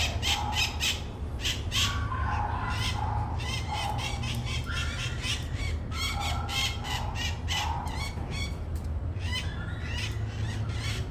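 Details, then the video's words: Scaly-headed parrot giving harsh, loud squawks in rapid series, some in quick bursts and others spaced about half a second apart, over a steady low rumbling background noise. "Canto da Maritaca Maracanã."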